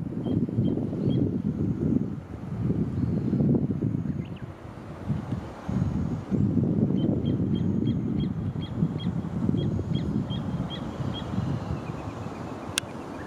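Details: Little ringed plover giving short, high, clipped notes in a quick series, several per second, with brief pauses, set against a strong low rumble of wind or distant traffic.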